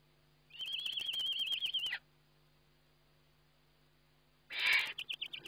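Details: Webcam recording of a Eurasian eagle-owl feeding, 29 May 2011: one long, high, wavering whistled trill that drops at the end, a pause of silence, then a loud harsh hiss followed by short quavers.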